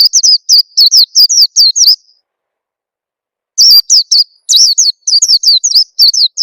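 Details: Oriental white-eye lure call meant to get young birds singing quickly: quick runs of high, thin, down-slurred chirps, about eight in two seconds, then a pause of roughly one and a half seconds before a longer, denser burst.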